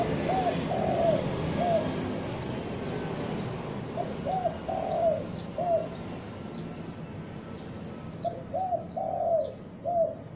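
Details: Young lure spotted dove calling loudly: low, mellow cooing phrases of about four notes, each with one long middle coo, given three times at a steady pace over hiss and faint high chirps.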